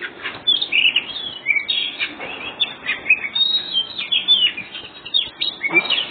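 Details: Oriental magpie-robin of the white-breasted form, singing ngobra style to provoke other birds: fast, varied phrases of bright whistled notes, chattering trills and sweeping slurred chirps, tumbling one after another in energetic bursts.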